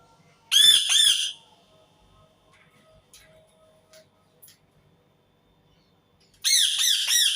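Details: Indian ringneck parakeet giving harsh, grating screeches in two loud bursts of rapid squawks, separated by several seconds of near silence with faint clicks.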